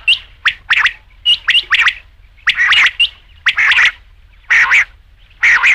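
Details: Loud, rapid rain quail calling from a night hunting recording of batair: tightly spaced doubled and tripled sharp notes, bright and metallic, running almost continuously.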